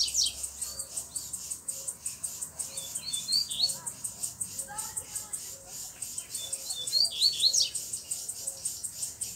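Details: Free-living double-collared seedeater, black with bluish-white bill, singing firmly near a female and two young; short bursts of high, sharp whistled notes rise and fall in clusters, over a steady pulsing insect drone.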